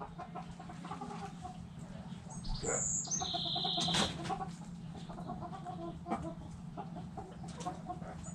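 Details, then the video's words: Backyard hens clucking, with irregular short clucks, a sharp high note and a higher sustained tone in the middle, over a steady low hum. "Rooster Crowing! Hens Clucking!"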